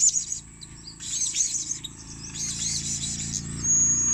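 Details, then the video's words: Shrill, rapid twitters and squeaks from a blue-crowned hanging parrot used for luring, running almost without pause against a noisy, rumbling background. "burung serindit gngster memikat"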